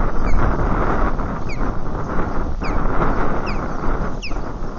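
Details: Osprey at its nest at Lake Murray on 3 March 2020 around 2:20 pm, alerting while other ospreys fly overhead; a series of thin, down-slurred whistled notes about once a second, faint under steady heavy wind rumble.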